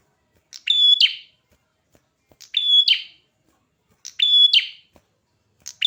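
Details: Vigorous song of a red-headed prinia: three full phrases about every one and a half seconds, each a brief buzz, a level shrill whistle and a harsh trailing burst, then a fourth beginning.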